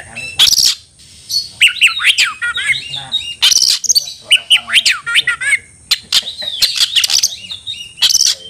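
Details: Oriental magpie-robin calling a rival to fight, here in harsher form: rasping squawks and scratchy notes mixed with quick whistled slurs, delivered in uneven clusters over several seconds.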